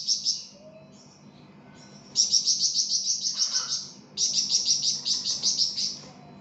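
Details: Flamboyan bird in energetic song, used for songbird tutoring: long rapid trills of about a dozen high, sharp chirps each, in two strings separated by a pause, with a faint lower chattering note between.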